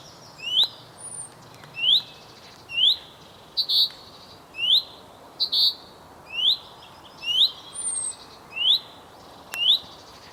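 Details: Male common chaffinch calling to his mate: a long series of high, rising, upslurred whistled notes, about one a second, broken by occasional sharp chips and a few faint, very high notes.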